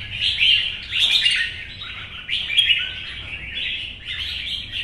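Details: Caged, wild-caught adult red-whiskered bulbul giving competitive fighting song in morning sun: bright chattering whistled phrases in quick bursts, each about a second long with short gaps, strong and clear.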